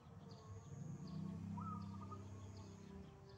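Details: Wild zebra dove in full morning song: a single phrase with a sharp upswept opening note followed by a brief series of even, pulsed coos, set against low rumbling background noise.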